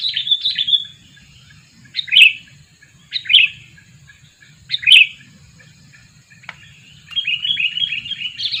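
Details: Scattered single whistled calls from a two-year-old sooty-headed bulbul kept for luring birds, spaced one to two seconds apart, followed by a soft run of twittering notes.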